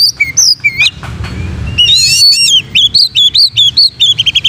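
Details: Oriental magpie-robin singing, a recording for training other magpie-robins: varied clear whistles, a brief harsh buzzy burst, then a fast series of repeated arched whistled notes, about two or three per second.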